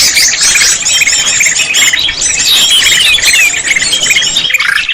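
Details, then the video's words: Lure sound for trapping greater green leafbirds, claimed as proven: dense, continuous high chattering with quick whistled slurs and squeaky twitters layered tightly, barely a gap throughout. "Suara jitu untuk mikat cucak hijo"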